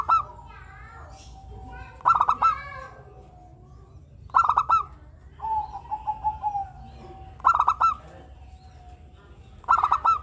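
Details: Local Javanese zebra dove in full song, recommended as a lure to draw or stimulate other birds. Mid-pitched phrases of rapid staccato notes ending in a rolling coo, separated by pauses of about two seconds, with a steady faint high whine.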